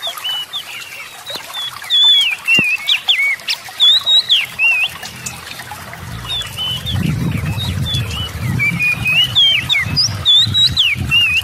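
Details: Oriental magpie-robin in rich varied song, used to provoke quiet magpie-robins into singing; quick chains of whistles, trills and twisting slurs, with a sharp click near the start and low rumbling noise in the latter half.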